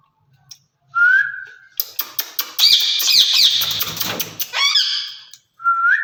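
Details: Caged rose-ringed parakeets, two birds described as speaking to each other in Urdu or Hindi; a rising whistled note, then a dense burst of harsh, raspy chatter and squawks, ending with another short whistle.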